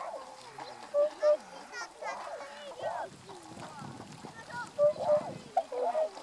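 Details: Tundra swans filmed on 1 January 2014, adults giving two call types and a juvenile calling: short, nasal honks, often in close pairs, rise above a murmuring flock, with splashing water throughout.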